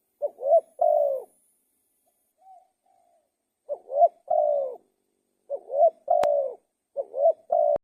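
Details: Spotted dove song of four cooing phrases, each a short rising note, an upslurred coo and a long level coo, separated by a faint soft note and two brief clicks.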